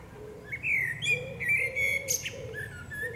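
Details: Common blackbird, a female, singing in woodland: mellow, fluty whistles sliding and wavering through several linked phrases, with a brief high squeaky flourish and a low repeated murmuring sound beneath.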